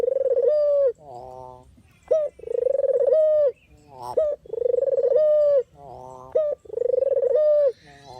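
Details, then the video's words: A dove repeats its coo as a trapping lure, four times at roughly two-second intervals. Each coo is a vibrating roll ending in a clear held note, with a quick rising accent between phrases. "suara asli burung puter/deruk buat isian,pikat dan pancingan"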